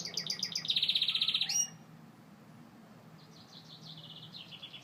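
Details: Singing Gloster canary delivering a rapid rattling trill of evenly repeated notes that stops abruptly, followed by fainter distant twittering phrases.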